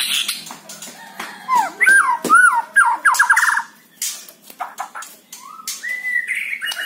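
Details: White-rumped shama song played to coax captive birds into singing: rapid run of bright whistled notes sweeping up and down, a quick repeated trill, then a lower level whistle, with sharp harsh clicks and rasps mixed in.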